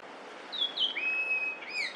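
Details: Yellow-billed grosbeak, a summer visitor to Korea, singing in early May 2024: clear whistled notes, first two slightly falling, then a long level whistle and a final rising slur, over faint background hiss.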